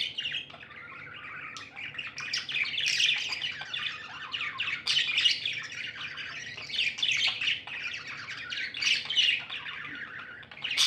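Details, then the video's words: Happy tame budgerigars keep up a steady, dense warbling chatter for the whole stretch, buzzy overlapping chirps with sharper high squeaks now and then. "Happy budgies chirping sounds"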